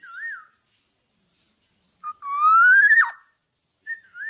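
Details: Tame black-naped oriole kept without a cage, singing actively, gives clear fluted whistles: a short wavering note, a long loud rising whistle that snaps downward, then another brief whistle.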